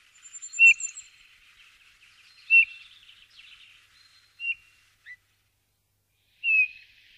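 Eurasian bullfinch giving soft, mellow piping whistles, each brief and slightly falling, about every two seconds; a thin high twitter from another bird opens the recording.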